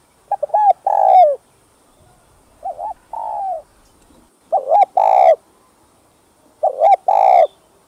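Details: Spotted dove, known locally as cu gáy, giving repeated coo phrases about every two seconds: brief looping introductory notes then a long, slightly falling, husky coo; background quiet.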